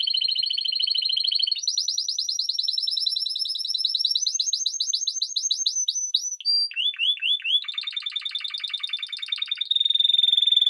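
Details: A continuous-type Spanish Timbrado canary sings a continuous, rapid, metallic trilling song, like an old doorbell or classic telephone ringing.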